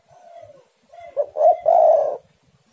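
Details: One spotted dove coo phrase from a lure meant to set doves singing. A soft, drawn-out falling note opens, then quick stuttered notes and a loud, long, rough coo.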